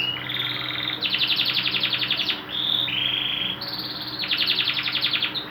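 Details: Canary song recorded as a tutor track for training other birds: fast buzzy trills and rolled tours, each held a second or so, switching pitch between segments over a steady low background hum.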